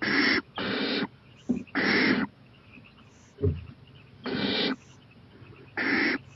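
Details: Owl out on a porch late at night, 11:26 pm on 23 April 2018, eyeing a playground; harsh hissing bursts, some in close pairs, separated by pauses, plus one dull low thump.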